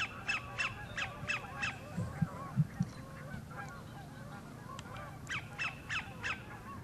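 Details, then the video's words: At the north end of Horicon Marsh, a sandpiper sings for a mate: bursts of rapid downslurred notes at start and end, with a few low thumps and steady low rumble between. "SANDPIPER SINGING"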